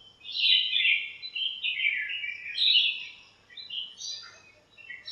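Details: Backyard birds in a lemon tree chirp on a shiny morning while fighting and calling to each other. High twittering phrases run together almost continuously and fade slightly near the end.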